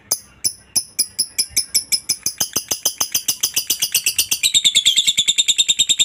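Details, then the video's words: Lovebird ngekek, a long chattering call meant to make other lovebirds reply. Spaced chirps quicken into a steady, rapid stream of shrill, rasping notes that grows louder and denser toward the end. "pancingan Lovebird ngekek panjang"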